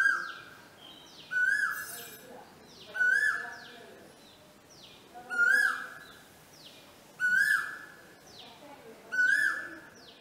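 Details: Asian koel, a male calling in breeding season at a house in Hassan, India, trading calls with a person: loud, rising koo-Ooo notes repeated every two seconds or so, each swelling upward, over steady low background noise.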